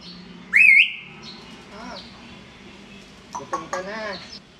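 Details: Pet African grey parrot, talking and dancing while begging for food, makes a sharp wavering whistle, then softer warbling voice-like sounds and clicks, over a constant low background hum.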